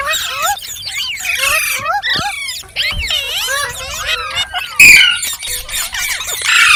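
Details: Pet ringneck parrot making talking, singing and funny sounds: a steady flow of bright, wavering whistles and squeaky, speech-like babble, with one sharp louder squawk near the middle.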